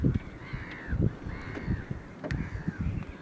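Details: Caspian gull, a single individual, recorded on 9 March 2016: three long, drawn-out nasal calls, each arching up and then sliding down, about half a second apart, over low thumping background noise.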